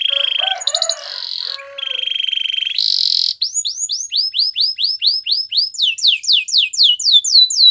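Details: Canary song for training: trills and a few lower notes, a steady rolling trill, a high buzzy burst, then a long series of rising-and-falling swept whistles repeated about three times a second.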